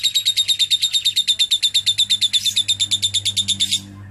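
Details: Lovebird singing with a cililin-style fill, clear and bright: a fast, even run of high chirped notes, about seven per second, kept up for nearly four seconds before it trails off, with a low hum underneath.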